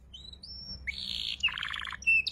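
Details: Young canary learning ngeriwik song, a tutor recording for magpie robins and shamas: thin high whistles, then a sustained buzzy phrase, a lower rolling trill of quick notes and a sharp closing chirp.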